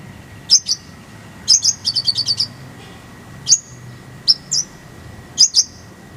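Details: Kolibri ninja, recorded as a master for songbird training with a full isian. Paired high chips, a short fast trill of bright notes, then scattered double chirps spaced about a second apart, over a quiet hum.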